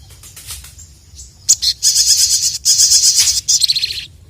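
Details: An emotional, heavily singing sogon, the crested jay, challenging rivals. Loud, dense, buzzy, rasping phrases run almost continuously for two and a half seconds, broken by short gaps, after softer scattered chirps.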